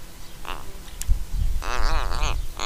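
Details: An Australian Little Raven at Mannum, South Australia, caught on a trail camera making creaking sounds while it fluffs its head feathers and ruffles its throat hackles. A few faint ticks come first, then a brief, rasping, harmonic-rich creak.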